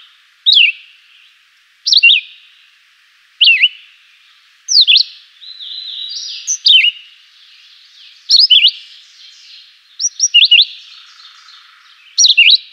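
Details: Chivi vireo, described as singing a simple, melodious song: short whistled phrases, each a quick slurred down-up note, repeated roughly every one and a half seconds. Faint background birdsong and reverberation continue between the phrases.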